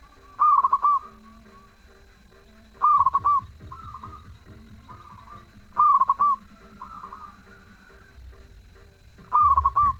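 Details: Zebra dove singing steadily: loud phrases of clipped coos ending in a held note recur about every three seconds, softer cooing phrases between them, and a low rumbling background.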